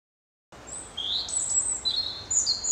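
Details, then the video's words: Variable babbling song of a European robin defending its winter territory against intruders: high sliding whistles rising and falling, linked by quick twittering notes in a continuous jumble, over soft steady outdoor noise. "Savez-vous désormais reconnaître le chant du rouge-gorge? Très variable et difficile à retranscrire, c'est ce genre de babil qu'il faut avoir en tête."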